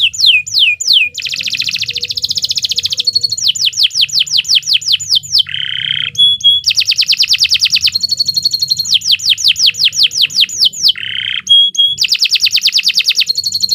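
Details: Canary song used for training other birds: long, continuous rolling trills of rapid repeated notes, alternating fast ladder-like sweeps with lower buzzy tours and brief pauses, loud and unbroken.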